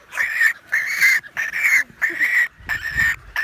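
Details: American white pelicans at a large breeding colony shared with cormorants on a remote island lake in the Canadian wilderness, June 23, 2018, recorded on an iPhone 7 Plus; harsh nasal calls repeated in bursts roughly every half second, separated by short pauses.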